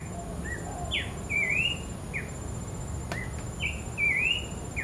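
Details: Wild Abbott's babbler singing actively in the wild: clear whistled notes, some sliding down and one rising wavering phrase repeated, over a steady high insect hum and low background rumble.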